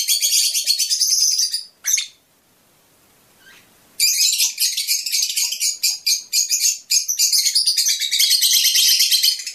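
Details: Shrill continuous chattering from a Fischer's lovebird, said to prompt mating, breaks off for about two seconds and then resumes as a long, busy, buzzy twitter with small dips in loudness.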